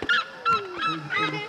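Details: Red-legged Seriema at Assentamento Padre Jésus, Espera Feliz, Minas Gerais, Brazil, on 28 June 2019, gives loud, harsh yelping notes in quick bursts, roughly two or three a second, with a person talking alongside.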